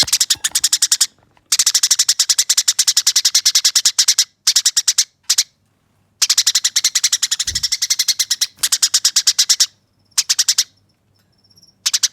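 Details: Eurasian tree sparrow singing its fighting song, rough and clear, for training use: long continuous rolls of rapid rasping chirps broken by brief gaps, with a faint high whistle near the end.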